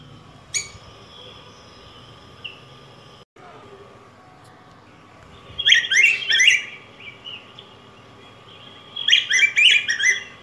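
A yellow grosbeak sings two bursts of rich, warbled whistled phrases about three seconds apart, after a short chirp; a steady hum runs beneath.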